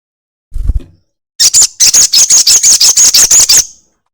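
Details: Crested jay long chatter used as a lure recording to prompt birds to call quickly. A low thump is followed by a harsh, high-pitched rattle of about a dozen evenly spaced pulses, roughly two seconds long.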